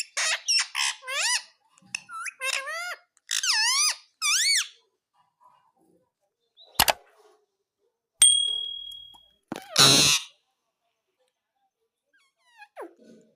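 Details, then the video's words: Pet ring-necked parakeet, a talking parrot said to say "mummy", gives a burst of harmonic squawks and wavering whistled notes in the first five seconds, then silence broken by clicks, a brief tone and a loud noisy burst. "Talking parrot - mummy bolne wala tota"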